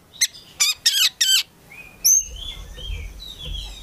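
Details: Oriental magpie-robin (kacer), a prospect collection bird, gives four sharp scratchy bursts, then thin high whistles and gliding notes over low background rumble.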